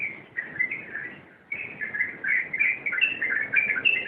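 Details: Rompelan song of a sooty-headed bulbul: a few chirpy notes, a short gap, then a fast, tumbling string of bright, slurred phrases that grows louder toward the end.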